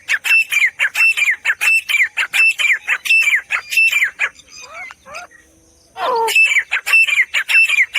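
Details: Grey Francolin, known locally as teetar, giving loud, harsh, rapidly repeated notes that rise and fall in quick runs, with a short gap of thinner squeaky notes before the series resumes.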